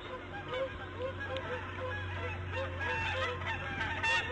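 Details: Female bald eagle at her nest in the morning of March 1, 2014, around 8:40 AM, while laying her fifth egg: a soft, steady run of short arched notes over a low constant hum.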